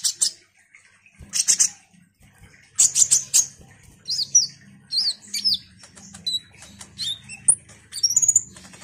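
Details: Ruby-cheeked sunbird, a lively singer used to provoke other sunbirds: a few sharp high bursts, then a string of quick downslurred and upslurred squeaky whistles, with a soft low hum behind.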